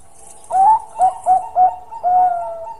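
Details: Zebra dove of the Bangkok type singing eagerly in the prized long-voiced style: five loud, soft-toned cooing notes, four short ones in quick succession then a longer drawn-out coo, with faint high hiss behind.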